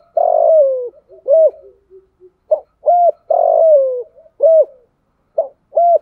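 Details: Spotted dove used as a decoy to lure wild doves in the rainy, windy season, in the voice style called thổ sấm. Deep mellow coos, each a long drawn note falling in pitch, alternate with short looped coos and soft notes.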